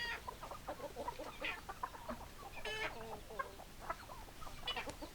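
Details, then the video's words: Busy chorus of clucking hens, with many short clucks and brief nasal cackles overlapping continuously and one louder harsh squawk near the middle, over a low rumbling background. "Chicken Sounds Noises Hens Clucking Roosters Crowing"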